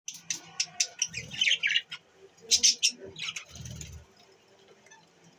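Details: Budgerigars eating on December 30, 2023, give quick, high chirps and scratchy chatter in short irregular bursts.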